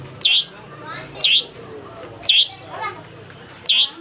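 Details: A long-tailed shrike in full voice gives short, piercing, down-up notes spaced roughly a second apart, four in total, with soft warbling and low rumble behind.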